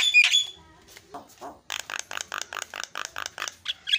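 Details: Javan myna song used as a lure to make other mynas sing: an opening shrill whistle, a few low grating notes, then an even rattling series of rasping pulses, about five a second, ending on a high squeak.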